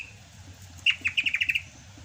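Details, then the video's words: Sumatran greater green leafbird, a kept songbird singing in the rainy season: one held whistle, then a fast series of about seven sharp downslurred chip notes in quick succession. "MUSIM HUJAN CUCAK HIJAU SUMATRA MASIH BISA GACOR"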